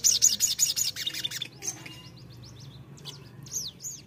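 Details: Sogon song used as a lure to get an untrained bird singing: a quick burst of sharp, high, buzzy notes at the start, then sparse thin arched whistles, the last ones louder and clearer.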